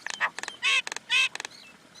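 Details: Common Indian myna letting out harsh, drawn-out rasping squawks broken by fast clicking bursts, ending in a soft warbled note.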